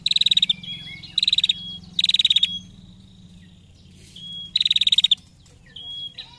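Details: Female prinia giving ngetir trill calls meant to provoke other prinias into singing: four rapid, ticking high-pitched bursts of about half a second each, separated by short pauses, over a steady low hum.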